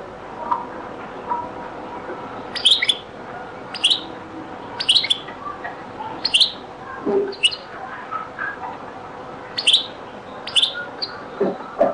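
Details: European goldfinch, Beni Messous 'les avocats' (zaboka) song style, very old recording: short, sharp, high twittered bursts spaced roughly a second apart, with faint lower chirps between them over steady background hiss.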